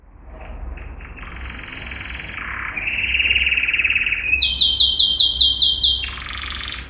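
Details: Yellow canary, Serinus canaria, in a training song: soft buzzy trills building to a louder rattle, then a burst of rapid repeated high notes, over a low hum.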